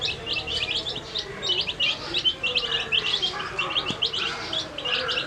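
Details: Several food-coloured baby chicks feeding and calling, giving rapid bright high-pitched cheeps in quick irregular succession, many voices overlapping, over a quiet low rumble.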